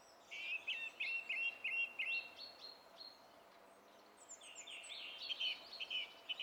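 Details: Song thrush singing, filmed on 27 April 2016: a run of repeated short whistled phrases around the middle pitch, then a pause and a second burst of varied, higher notes, over steady background noise.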